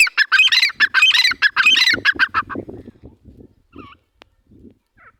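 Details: Partridges, a pair: loud, harsh, rasping notes in a fast rhythmic series for about two seconds. Softer, lower notes follow and trail off, with a few brief higher calls near the end.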